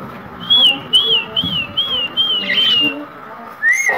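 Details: Pet green parrot whistling a string of short, even, pure notes, about five in a row at a steady pace, followed by a wavering note and a final rising whistle.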